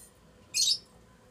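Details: Lutino Fischer's lovebird from a strongly bonded adult pair in their house during mating; one short harsh high chirp with a broad noisy quality, standing out alone against a quiet indoor background.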